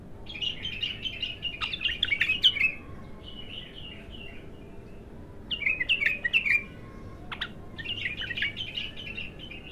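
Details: Untrained bulbul singing its first song: three separate bursts of quick chattering, warbling notes, each lasting one to two seconds, with sharp clicks between phrases.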